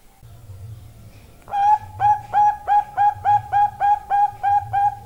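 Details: Long call of a female Bangkok zebra dove: a low hum first, then a brisk, regular series of about eleven short, bright coos, roughly three each second, over faint low rumble.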